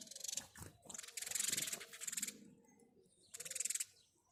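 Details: House sparrow in the morning giving harsh, rapidly pulsed chirping bursts, loud and close, in three or four runs separated by short pauses.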